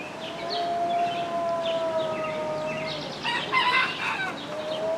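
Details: A neighbour's small young rooster, just starting to crow, gives a long, steady, drawn-out crow lasting about three seconds, then a rougher, harsher burst; faint chirps of small birds sound behind, in a garden in Ohio.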